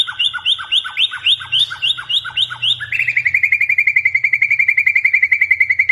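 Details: White-rumped shama singing to lure other birds into song. Repeated bright downslurred whistles come about every third of a second, then switch to a fast even high trill of rapid chips. A low steady hum runs underneath.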